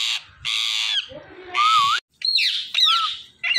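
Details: Indian ringneck parrots from a calling flock: loud, harsh, broadband screeches about a second long, alternating with a wavering whistled note and sharp downward-bending squawks, nearly continuous.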